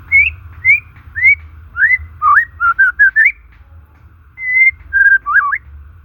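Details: White-rumped shama singing naturally, meant to lure stressed or non-singing shamas: clear rising and falling whistled phrases, a cluster of quick looping notes, a long level whistle, then a wavering flourish, over low hum.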